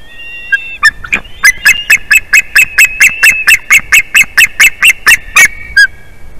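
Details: Adult male white-tailed eagle calling a lot from the nest tree as his mate returns, 8 April 2021, 2:54 pm: a fast, steady run of loud, sharp yelping notes, about three per second, after a few thinner whistled notes.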